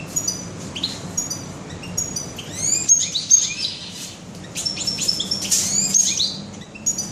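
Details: European goldfinch singing in a bird shop on 21 June 2015: bright tinkling twitters and upslurred whistles in bursts, over a steady low hum of room noise.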